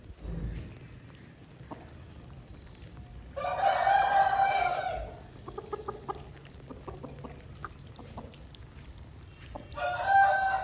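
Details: Crowing of an Aseel chicken recorded after rain. A strong crow of nearly two seconds, then soft ticking, then another crow beginning about six seconds later. Brief low thump at the start.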